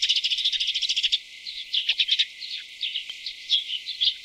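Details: Tree swallows feeding chicks in North America, with a fast burst of high, thin chittering for about a second, then scattered sharp chirps and twitters at an uneven pace.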